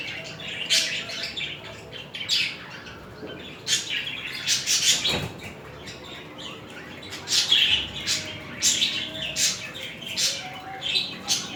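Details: Budgerigar pair mating with affectionate movements toward each other; rapid chirping and scratchy chatter comes in irregular bursts, with a steady soft warble underneath and a single dull knock near the middle.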